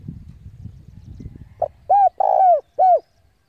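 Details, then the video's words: Decoy spotted dove cooing to summon rivals for a fight: after low rumbling noise, a short note, then three arched coos with a long buzzy middle coo. "tiếng chim cu gáy gọi bổi về cội để đấu của con chim cu gáy mồi giọng gáy hay cực chuẩn kích bổi"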